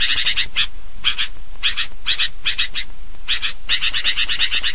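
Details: A noisy sooty-headed bulbul call used as a lure to draw other bulbuls together: harsh, chattering notes in quick uneven clusters, several per second, over a low background rumble.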